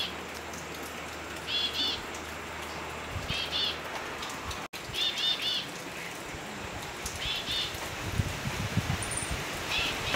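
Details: Elegant tit, a bird endemic to the Philippines, gives short clusters of high, thin chirps every couple of seconds against a steady hiss like rain.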